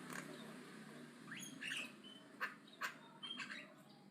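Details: Javan myna chattering aggressively over a steady low hum: rising whistled slurs, a few sharp clipped notes and short harsh calls.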